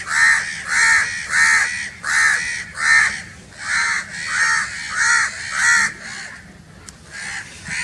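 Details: Loud, rasping crow caws repeated rhythmically about every half second, eight or nine calls, then a trailing quieter pause with a single click.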